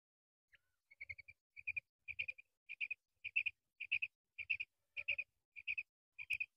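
A female common quail gives short, high, nasal notes in quick clusters of two to four, repeating about every half second, over faint low thumps.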